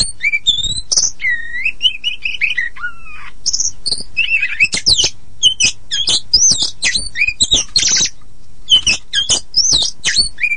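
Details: Poci Oriental magpie-robin giving lure song meant to make silent or untrained magpie-robins sing: drawn-out whistled slurs and a falling note, followed by rapid, harsh and chattering phrases in a continuous flow.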